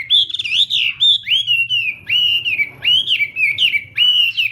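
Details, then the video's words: Loud, clear whistled phrases from a Chinese hwamei in morning singing practice, each note rising then gliding down, repeated in steady bursts roughly every half second. "hoạ mi hót sáng luyện giọng"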